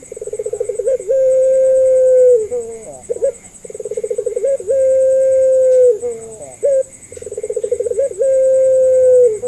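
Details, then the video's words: Barbary dove of the pelung type, used as a lure to get reluctant doves to call and learn. Repeated low coos, each opening with a pulsing rolled trill and drawing into a long steady hum, three phrases in succession. A constant faint high whine runs throughout. "PANCINGAN MASTERAN BURUNG PUTER"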